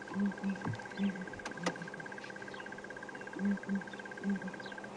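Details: A flock of four Southern Ground Hornbills, a highly endangered bird, on the ground in African bush wilderness in the morning, giving deep, hollow, mournful booming notes in pairs and threes, while an insect ticks rapidly and steadily behind.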